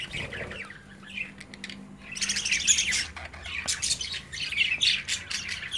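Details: Young budgerigars playing inside a cage, parents nearby; high twittering chirps and buzzy warbles, starting quietly and growing louder and denser in the second half.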